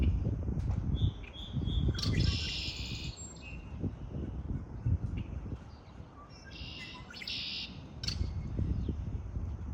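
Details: Spring birdsong with high chirps and two bursts of buzzy, rattling trills separated by a quieter stretch, over fluctuating low rumbling noise.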